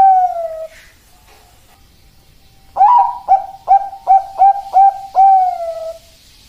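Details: Bangkok-type zebra dove (perkutut) song: a long falling coo ends one phrase, quiet follows, then a new phrase of a rising opener, five short coos and a long trailing final note.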